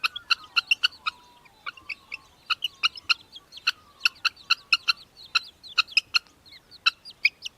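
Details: Australian hobby in Victoria, Australia, December 2023, calling in a rapid, loud run of harsh, ringing notes, about three per second with brief pauses, while faint twittering of other birds continues underneath.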